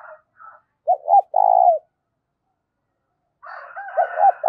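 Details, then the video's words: Spotted dove cooing with a loud, clear voice, used to stir up decoy doves. Two short hooting coos are followed by a longer, drawn-out, even coo. The phrase starts again near the end over a faint, hissy background. "tiếng cu gáy kích bổi mỗi ngày giọng to rõ ít tạp âm"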